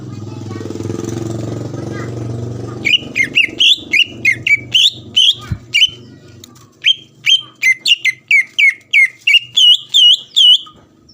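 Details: Greater green leafbird singing to provoke a rival, a quick series of bright, downward-flicking whistles about three per second that starts after a few seconds of low rumbling background noise.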